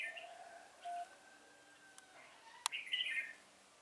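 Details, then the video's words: Red-whiskered bulbul song used to lure birds into a trap, recorded 1 November 2017: thin drawn-out whistled tones, a sharp click, then a loud, quick, rich warbled phrase near the end. "Bẫy chào mào Sô lô với mồi không kém mỏ"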